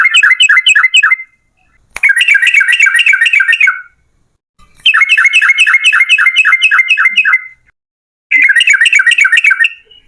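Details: Yellow-vented bulbul delivering long rapid runs used to lure other bulbuls into singing: four bursts of fast, even, buzzy chattering notes, each lasting one to two and a half seconds, separated by short silences.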